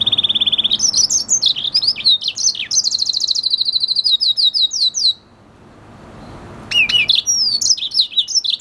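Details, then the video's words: Red hooded siskin hybrid, an F1 siskin and canary mix, singing a fast rambling twitter of high trills, buzzy rattles and quick chirps in a continuous burst, a brief pause, then resuming. "Red hooded siskin singing | Cardenalito venezuela cantando"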